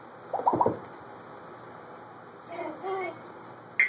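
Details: African grey parrot alone in a room indoors, recorded on a phone, making voice-like mimicry: a short low throaty burst, then a pause, then a wavering harmonic phrase like imitated speech, ending with a sharp click.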